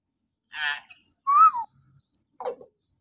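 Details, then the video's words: Common hill myna shrieking in the morning, a recording played to train captive mynas: a rough harmonic burst, then a loud arched whistle, followed by softer noisy chatter and a brief final note. "suara burung beo melengking"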